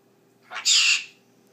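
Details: Pet blue-crowned conure prompted by its owner to talk on demand gives a bright, harsh, squawk-like burst of roughly half a second. A fainter lead-in note comes first, in a quiet indoor setting.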